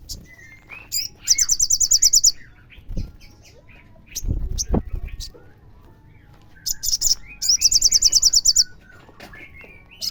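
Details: Lure recording of a crimson sunbird meant to set other sunbirds singing: two bursts of fast, high, sizzling trills, each about a second long, separated by thin chirps, with soft knocks and faint murmuring in between.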